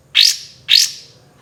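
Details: Kapas tembak giving two strong, upward-sweeping shot notes about half a second apart, each bright and forceful with a trailing fade.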